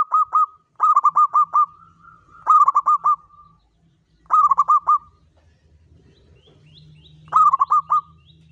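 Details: Local zebra dove singing as a lure sound in the pakem Mataram rhythm style: four bursts of quick, stuttering mid-pitched coo notes, up to six in a burst, separated by pauses, with faint low rumbling between phrases.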